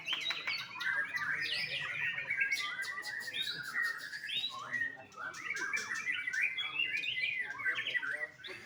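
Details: White-rumped shama, a young bird bred on a farm in Bali, Indonesia, pouring out a long varied song of whistles, twitters and rapid chips, with brief pauses between bursts and clicking sounds in the background.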